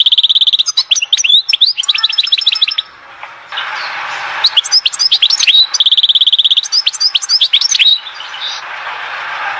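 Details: Goldfinch song from Oued Zhour near Skikda, sustained tinkling trills and rapid chirps in two long bursts separated by a short pause with faint hiss in between.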